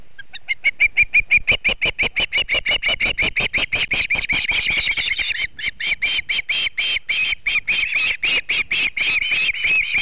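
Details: Osprey, a female at a Montana nest, calling while chasing off an intruder that was not another Osprey, 3 August 2016: long, continuous run of shrill, piercing chirps, about three per second, steady in pitch.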